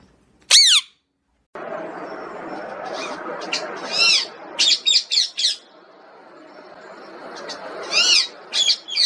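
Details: Pet talking parrot: one sharp high whistled sweep, then bursts of raspy chattering squawks over a steady broadband hiss, some in quick runs of three or four.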